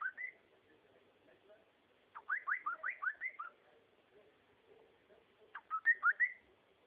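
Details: Cockatiel whistling in bursts: an opening rising note, then a tight string of looping upslurred whistles, and a final cluster of bright sweeping notes.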